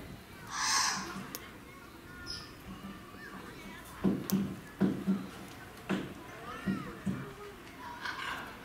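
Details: Triton cockatoo (Cacatua galerita triton) at Asuwayama Amusement Park, Fukui, Japan, 1 November 2019, gives one harsh, rasping screech near the start, followed by a run of low voices or calls; background hum throughout.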